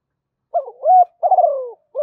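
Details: Spotted dove cooing in the mixed 'giọng thổ' voice style, recorded as a training call for decoy doves. A short hooted note and a level coo are followed by a drawn-out falling note, with the start of another phrase at the end.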